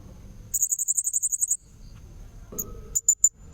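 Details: Lure sound of a blue-crowned hanging parrot: a train of about ten sharp, high notes in one second, then quieter pause and a few scattered separate chips near the end.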